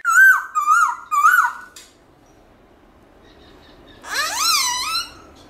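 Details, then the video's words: Morning forest-style song of a Black-throated laughingthrush, varying its voice: three quick bouncing whistled notes, a quiet gap, then one long, loud, full-toned whistle sweeping up and gently wavering. "Khướu Bạc Má Hót Giọng Rừng ĐẢO GIỌNG Buổi Sáng Cực Hay"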